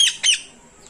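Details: Pair of parrots held in a village cage: two brief, harsh, high squawks in quick succession, then silence.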